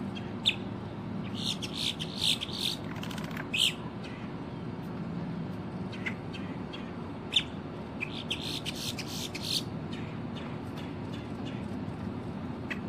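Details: Female boat-tailed grackle song recorded in October 2023, made of scattered harsh clacks and rasping bursts repeated irregularly across the clip, one sharper note standing out, over constant low rumbling background noise.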